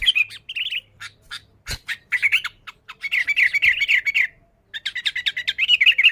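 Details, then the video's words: Sooty-headed bulbul singing loudly, a recording for luring bulbuls: nearly continuous harsh, rapid chattering, about four notes a second, broken by sharp clicks and one short pause. "Suara Burung Kutilang Gacor ASLI Tanpa isian, Ampuh untuk Pikat Kutilang bikin kutilang Ribut gacor"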